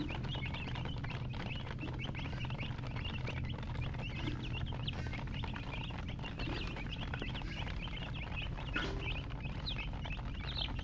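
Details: Several domestic chicks chirping steadily with short, high peeps tumbling over one another throughout, beneath a constant low rumbling background noise.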